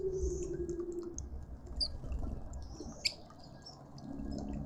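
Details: Burchell's coucal calling in a suburban garden in Pretoria, South Africa: low, hollow hooting notes, steady at first, then dropping lower near the end, while small birds chirp high above and a faint hum runs underneath.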